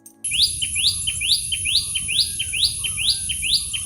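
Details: A Common Tailorbird in Sri Lanka gives its loud fast call, a series of sharp rising chirps about two per second, with a steady high hiss behind.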